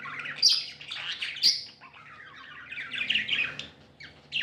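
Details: Happy budgerigars kept as pets: sharp high chirps and grating chatter early on, easing to softer warbling, then a sudden loud squawk at the end.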